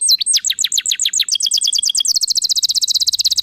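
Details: Vigorous canary song used to get other canaries singing: falling whistled notes repeated about eight times a second, quickening into a dense high rattle.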